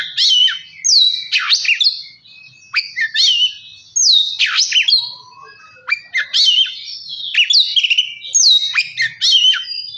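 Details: Oriental magpie-robin song used as a lure to spur a reluctant bird into singing and agitation: loud, varied whistled phrases with sharp downward sweeps and rising slurs, delivered in quick bursts separated by brief pauses.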